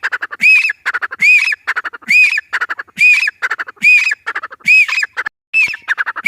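A grey francolin gives loud, harsh, ringing phrases, repeated roughly every second in a steady, insistent series, with no other sounds.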